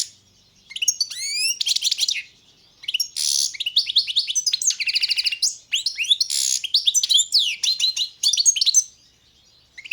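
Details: Balkan-race European goldfinch, Carduelis carduelis balcanica, in full song: an almost unbroken run of fast tinkling twitters, rising slurred notes and buzzy, nasal trills, with brief gaps between the phrases; no other sounds.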